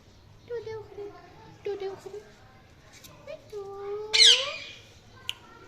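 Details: Indian ringneck parakeet talking: a few low, voice-like phrases with rising inflections, then a sudden loud harsh screech and a short sharp click.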